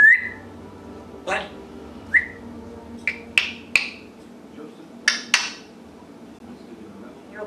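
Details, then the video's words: Pet African grey parrot, indoors, making noise: short whistled notes near the same pitch alternate with sharp clicking and popping bursts, spaced irregularly over several seconds against a quiet room hum. "Talking and Making Noise - African Grey Parrot"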